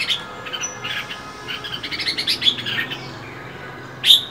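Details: Female Oriental magpie-robin calling in cold winter to set males singing: a loose run of soft, rapid high chirps for about three seconds, then one loud, sharp note.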